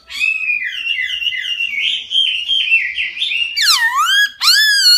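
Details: A wild (forest) laughingthrush sings a loud, fluid run of warbling whistled phrases, ending in rich swooping notes that dip and rise; recorded indoors with no other sounds.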